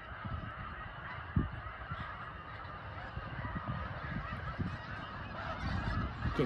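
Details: Snow geese on migration in Lancaster, Pennsylvania: a massed flock producing a steady wash of overlapping nasal honking calls, no single bird standing out, with low rumbling noise and an occasional sharp knock beneath.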